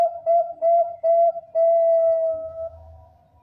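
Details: Zebra dove of the Bangkok type, a strong singer used to draw in other zebra doves, ends its song with four short coos and then a long, steady, slowly fading note.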